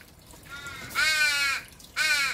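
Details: An adult Australian raven refusing to feed its begging, recently fledged offspring, nipping and pushing it, gives harsh, nasal, drawn-out caws: a softer one, then two loud strained calls a second apart, each sagging at the end.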